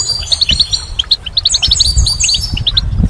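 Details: Goldfinch song for spring: a bright, rapid twittering of high, tinkling notes, with several birds chattering together over a low background rumble.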